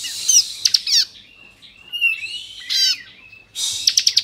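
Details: Bar-winged prinia ('kristal' type) delivering varied 'ngebren' phrases for provoking other prinias: harsh squeaky notes, a rising and falling whistle, then a dense rapid ticking trill at the end.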